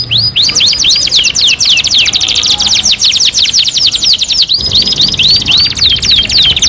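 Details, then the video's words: Canary tutor song, two in one: arching, rising-then-falling whistles repeated rapidly over a buzzy continuous trill, a short break, then the looping whistles resume. "MASTERAN KENARI 2 IN 1 | CANARY SINGING"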